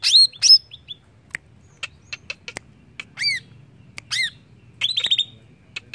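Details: Greater green leafbird (cucak ijo) singing, meant to get other birds going: scattered clicks and chips with a few loud upswept and arched whistles and a short trilled burst near the end.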